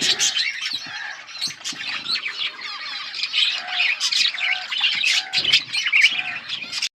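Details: Several yellow budgerigars, August 20, 2024: high chirping and scratchy chatter, over a lower arched note repeated roughly every second, plus small clicks and rustles.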